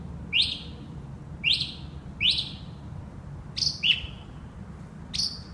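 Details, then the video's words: Northern mockingbird singing through the night in West Brighton: three bright upward-sweeping notes spaced about a second apart, then a different falling double note and a short high slur, over soft background hum. "Mockingbird all night long"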